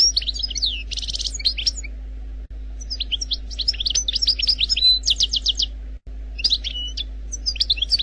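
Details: Song of an Algerian goldfinch: bright jumbled twittering phrases with a quick buzzing rattle early on, then more fast chirps and sweeping notes broken by brief gaps, a faint hum below.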